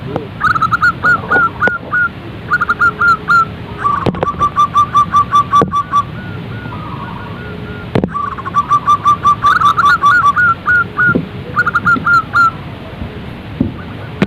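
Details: Repeated phrases of a zebra dove, used to prompt other doves to start singing: bursts of rapid, evenly spaced staccato coos, some phrases slightly higher, others lower and longer, separated by brief pauses, with occasional clicks and knocks.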